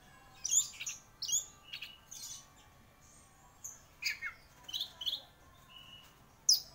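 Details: Orange-headed thrush, known as "anis merah" and kept as a contest-winning songbird, utters varied high chips, slurred whistles and short trills spaced irregularly over several seconds, closing with a loud sharp note.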